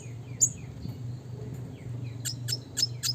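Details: Classic red siskin in the gacor nembak ngeroll song style, used as training material for other birds: sparse high chirps and short downward sweeps, with a cluster of sharp notes near the end over a steady low hum.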